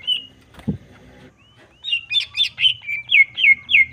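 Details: Greater green leafbird singing actively, used to provoke and stir another bird's emotion: a lone whistled note and a soft thud, then about eight short loud rising-and-falling whistled notes repeated roughly three per second.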